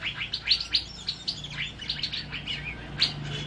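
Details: Asian fairy-bluebird in lively song, used as tutor audio for training other birds: short bright chirps and sharp whistled notes tumbling quickly one after another over a steady low hum.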